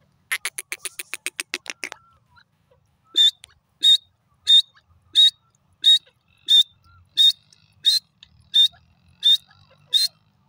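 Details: Grey francolin (teetar) giving a rapid burst of rattling pulses, then a regular series of about eleven sharp, high, metallic notes spaced evenly, one every two thirds of a second, over a quiet background.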